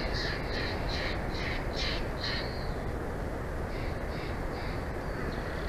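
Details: Bald eagles at a nest in Big Bear Valley, watched by a live nature cam, recorded 06/04/2024 at 14:35: a quick series of about six high, thin piping notes, a short pause, then four more, over a steady rushing wind-like roar.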